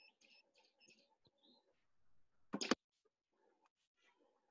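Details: In Namibia, a Grey-backed Camaroptera gives one short, loud burst of rapid dry clicks, like a camera shutter firing fast, after faint scattered chirps and ticks.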